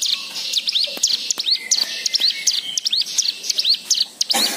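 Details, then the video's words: Varied white-eye lure song meant to get other birds singing: a dense stream of quick, high, sweet chirps and slurred upward notes, irregular bursts over a faint hiss, ending in a brief loud noise. "Pancingan Cigun Agar Bunyi Dengan Ful fariasi Isian Mewah"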